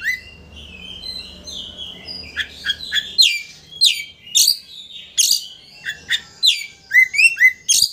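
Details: Magpie-robin, the Oriental kind, in song meant to provoke a rival male into tail-opening: varied high whistles building into a fast sequence of sharp, downslurred and rising notes, with faint low hum early on.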